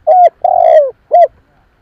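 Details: Spotted dove coo used to attract wild doves, with a short hollow coo, a long rolling vibrato coo sliding downward, and a final short coo, all clean and close.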